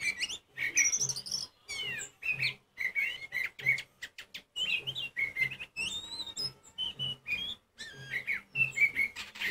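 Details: Oriental magpie-robin delivering loud song to make other magpie-robins sing: continuous bursts of rich whistles, slurred notes and sharp chips, often repeating a short downward phrase, with brief pauses between bursts.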